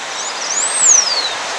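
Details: A Blue Finch in the Brazilian cerrado gives one thin, very high whistle that rises briefly and then slides steadily downward over a steady background hiss.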